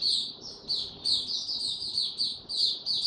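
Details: White-eye kept as a songbird, singing on a warm, very humid day; dense, high-pitched twittering phrases pour out almost without break, bright and squeaky with quick rises and falls.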